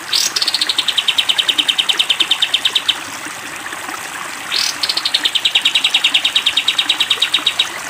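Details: Sooty-headed bulbul 'tembak panjang' song for training cage birds: each phrase opens with a sharp rising note sliding down into a fast, even, high-pitched trill lasting nearly three seconds; two such phrases separated by a short pause.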